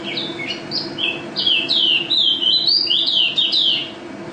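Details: National champion pleci white-eye in full song: rapid chains of high, swooping whistled notes that rise and fall, denser and louder midway, over a faint low background hum.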